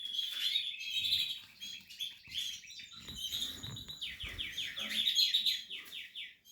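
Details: Portuguese harlequin canary at the nest-building stage of breeding sings fast, bright trills: rapid repeated downward-sweeping notes in bursts, with a long run of even sweeps near the end and faint rustling between phrases.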